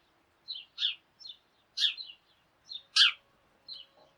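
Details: Tree sparrows from a noisy morning flock chattering and hopping about; a quick series of short harsh chirps and double notes, some louder than others, with a faint low hum in the background.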